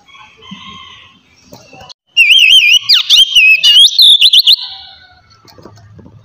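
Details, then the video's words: Oriental magpie-robin singing relaxed ngeplong song to encourage untrained magpie-robins to sing: faint warbles, then a loud trilled, wavy whistle followed by rapid sharp downstrokes, ending in quieter chatter. "kacer ngeplong santai ampuh merangsang kacer bahan agar cepat bunyi"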